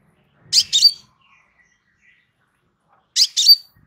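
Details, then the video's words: Relaxed crimson sunbird song meant as a master for training birds: two paired bursts of shrill high chips, each finishing in a thin whistle, about two and a half seconds apart. "Suara SANTAI Kolibri Sepah Raja"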